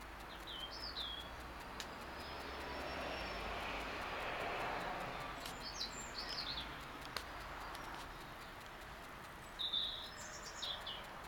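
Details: Garden birds singing into the morning sun on 25 February 2016: scattered high, thin chirps and short twittering phrases in brief bursts, faint against a broad wash of distant traffic rumble.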